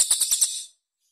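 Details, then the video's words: A grey-cheeked tit-babbler, in a training recording of its harsh song bursts for young birds to learn, gives a quick run of five harsh, high, tightly spaced bursts, about ten a second, lasting under a second and then stopping. "TEMBAKAN KASAR JEDA RAPAT CILILIN"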